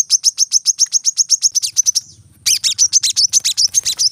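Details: Brown-throated sunbird song used as a training recording for caged birds: rapid series of high, sharp chirps repeated about four per second, a brief pause, then another fast run of slightly varied notes.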